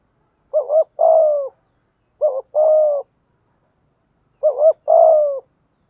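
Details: Spotted dove lure call in the urging 'thúc gù' manner, aimed at wild doves. Three evenly spaced phrases, each a rapid two-part note followed by a sustained, slightly falling coo, roughly every two seconds.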